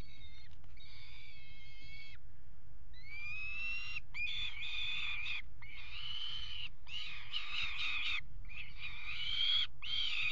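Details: Peregrine falcons pairing on a nest ledge at a water tower nest box in Axel, 5 February 2018: loud harmonic wailing and chittering calls in rapid bursts, rising and falling, over a steady low hum.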